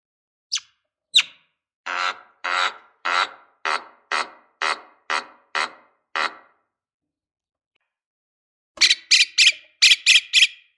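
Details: Lovebird provoking call used to rouse rival lovebirds, long ngekek chatter style: two sharp squeaks, then a steady series of rasping, broad notes about twice a second, a pause, and a final burst of shrill, rapid chirps.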